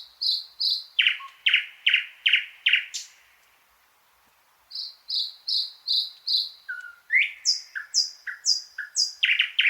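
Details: Thrush nightingale song with runs of repeated whistled notes and deep chocking strokes, a pause, then more repeated high notes, a low slur, and rapid, varied repeated phrases to the end.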